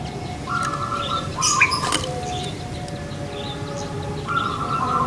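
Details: Captive puter pelung Barbary dove from Indonesia sings sustained, even-pitched cooing phrases in two spaced bouts, while sharp chirps from other birds and faint rural background noise are heard.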